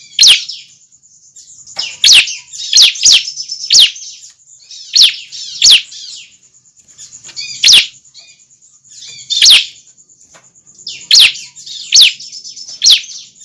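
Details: Young bar-winged prinia giving calls meant to attract other prinias: loud, piercing notes that drop sharply in pitch, some single, others in quick clusters of two or three, repeated over thirteen seconds above a thin constant high hum.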